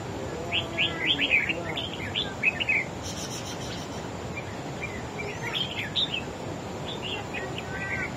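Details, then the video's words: Wild-caught red-whiskered bulbul singing in a contest against another bird: a fast run of bright, warbling whistled phrases in the first half, then a shorter burst after a pause, over steady background hiss. "Chim Chào Mào Của A Tủa Hót Đấu Ché Đè Đối Phương Quá Khét."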